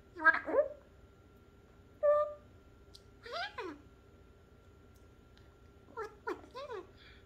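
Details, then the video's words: A pet African grey parrot talking indoors: a series of short, tonal, speech-like syllables with sliding whistled inflections, clustered at the start, around two and three and a half seconds, and near six seconds, with quiet pauses between. "The talking African grey"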